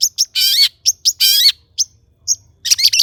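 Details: Harsh, strident squawks with wavering tones from a long-tailed shrike, interspersed with short high chirps, ending in a rapid scratchy jumble; the bird is sung as a lure to make others sing.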